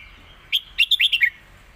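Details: Caged competition red-whiskered bulbul giving its master song, used to teach young birds: one quick phrase of about six sharp, bright chirping notes, rising and falling, delivered within under a second over quiet background.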